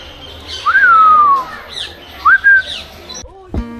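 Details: Caged parrot in an aviary of parakeets and cockatoos at Gazipur Safari Park, Bangladesh, calling back in reply to a person; two loud whistled calls, the first rising then gliding down, the second shorter, followed by a brief click.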